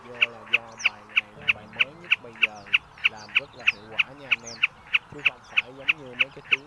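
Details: Common snipe call used as a lure for night net trapping during the March migration season: sharp, clicky notes repeated steadily about three times a second, over lower wavering, warbling tonal calls.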